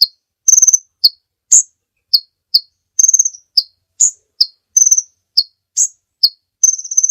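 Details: Kolibri ninja sunbird song from a long training recording for caged birds: a steady run of piercing high chirps mixed with brief stuttering trills, each burst separated by short silences.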